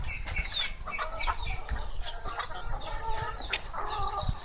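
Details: Several laying hens inside a coop cluck and squawk in overlapping bursts, with flapping wings and steady low-frequency noise throughout.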